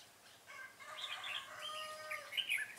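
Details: Red-whiskered bulbul during a trapping session on 25 April 2017: a run of clear, warbled whistled notes with several rising and falling phrases over about two seconds, against quiet outdoor background.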